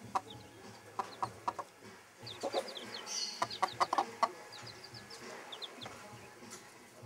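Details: Broody bantam hen with her chicks: low, short clucks in uneven bursts, several rapid ones near the middle, while the chicks' thin, high downslurred peeps scatter throughout.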